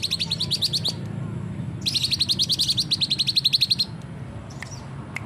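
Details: Sooty-headed bulbul used as a master recording to prompt silent bulbuls to sing: rapid runs of sharp, high chips, a short burst, then a longer two-second volley, over a steady low hum.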